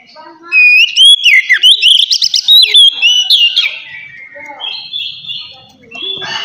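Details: Oriental magpie-robin singing relaxed ngeplong song, meant to get untrained birds singing quickly: a loud sequence of varied, sweeping whistles and rapid chopped notes, followed by softer warbled phrases and a rising whistle at the end.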